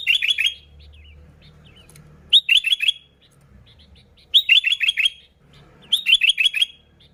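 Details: Sooty-headed bulbul, original recording to attract bulbuls: four bursts of about four quick, bright, repeated chirpy notes, spaced roughly every one and a half to two seconds, over a low background hum.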